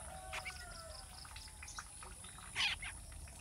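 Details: Spiny babbler baby bird giving one loud, harsh, broadband rasping burst late in the clip, over a busy chorus of faint chirps and thin whistles from other birds and a steady high tone.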